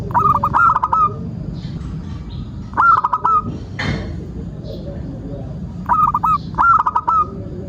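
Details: Local zebra dove song for luring birds: repeated short phrases of fast hooked coos, separated by pauses with faint high chirps and a brief breathy noise.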